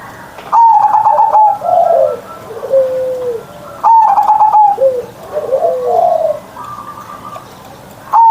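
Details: Morning song of a caged zebra dove with a large, deep ngerot voice: two full phrases, each starting with a rapid stutter, flowing into a level purring coo and ending in low slurred notes.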